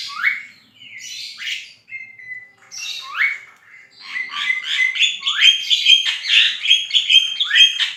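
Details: Javan myna singing actively, in a tutor recording for training cage songbirds: a varied run of harsh, squeaky notes and rising whistled slurs, the phrases growing denser and more chattering in the second half.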